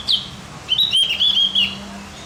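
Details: Javan grey-throated white-eye song for rousing other birds: a sharp high note, a short gap, then a quick, bright, run-together warble of about a second, over faint low hum.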